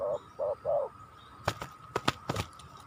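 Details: Spotted dove used as a lure to draw wild doves into a fight: three low, rounded coos in quick succession, followed by sharp clicks and knocking noises with a faint steady hum behind.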